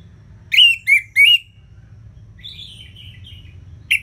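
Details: Orange-headed thrush singing in ngeplong style: three loud, sharp whistled notes with slurred high overtones, then a soft pause with faint high twittering, and a final brisk burst of shrill notes.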